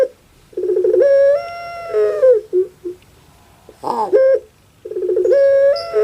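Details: Puter pelung dove, a kept Javanese favourite, repeats a rattling onset that rises into a long steady moaning coo and sinks at the end, with a short squeaky flourish between phrases.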